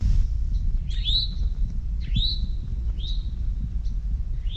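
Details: An Eastern Towhee sings its 'drink your tea' song: four bright, upslurred whistled notes, about one a second, over a steady low rumble.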